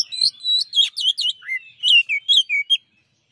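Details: Champion Oriental magpie-robin singing its master song: a rapid run of bright whistled notes and buzzy slurs, several dropping from high to lower pitch, about a dozen phrases in quick succession before falling silent.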